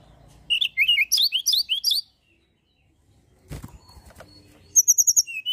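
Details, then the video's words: Energetic mountain tailorbird song used to draw and provoke other birds: quick bursts of high, slurred whistles repeated about three times a second. After a pause come a brief knocking rustle and a final series of very high, rapid paired notes. "tledekan gunung gacor pancingan burung anda"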